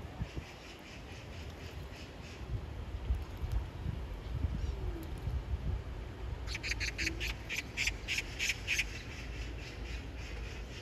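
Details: Oriental magpie calling for a mate, splashing water over its bill and body between calls: a rapid run of about nine harsh, dry, rasping kak notes in the second half, over steady low rumbling background noise.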